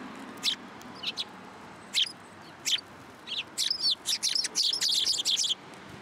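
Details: Sparrows flocking to take food from a hand at a Tenmangu shrine, 12 December 2022, giving scattered high, sharp chirps that quicken into a dense run of overlapping twittering notes before stopping.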